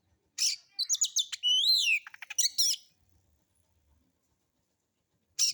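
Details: White-rumped shama singing a rough-style lure phrase meant to set other birds singing: scratchy bursts, quick stacked chirps, a sweeping buzzy whistle and a run of clicks, then a pause before another harsh burst.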